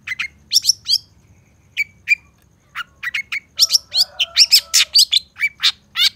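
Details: Cendet, the long-tailed shrike, singing a masteran lure song packed with mimicked fill-ins: scattered high chirps, a pause, then a dense run of sharp sweeping notes and a brief low warble in clean, quiet surroundings.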